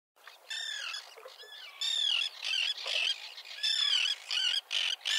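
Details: Common terns in a small breeding colony with chicks on a concrete block near a breakwater, 1.5 km from the coast at Liepāja, Latvia, June 2024, filmed with a Nikon Coolpix P1000; harsh, grating, down-slurred calls in bursts, several birds overlapping.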